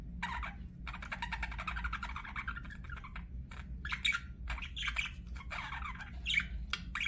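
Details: Chirping budgie: a long, rattling run of fast, grating notes that breaks into looser squeaky warbles and chirps, over a low steady hum.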